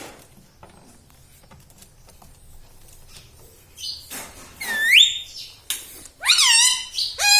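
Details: Tame ringneck parrot that is said to talk, saying mummy, papa and radhe radhe; quiet at first, then a run of loud, bending, nasal speech-like syllables in the last three seconds.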